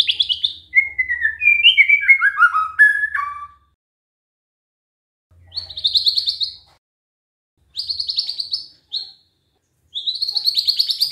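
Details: Canary-styled song of a white-rumped shama: an opening cascade of descending whistled notes, followed by separate bursts of high, rapid buzzy trills with pauses between them.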